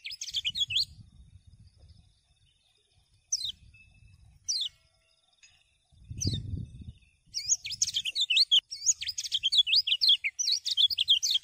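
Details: Common iora (kecial kuning) singing to spur other birds into song: scattered high sharp chirps separated by pauses and low background rumble, then a dense, rapid burst of twisting whistled notes in the final four seconds.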